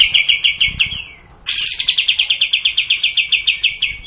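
A bulbul gives a long, rapid-fire series of high, even notes, about six per second, with a brief break before the series resumes.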